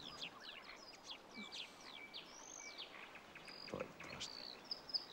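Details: Marsh warbler singing on a summer night in a bird grove, Finland: a fast, varied stream of chattering, buzzy and whistled notes, switching pitch constantly, with faint background noise.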